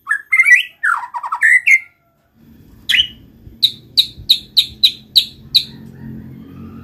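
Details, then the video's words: White-rumped shama song used to get other shamas singing: a few varied whistled notes, a short silence, then a series of about ten evenly spaced sharp high notes over a low hum. "pancing MURAI BATU malas bunyi/bahan paling mudah direspon tanpa takut"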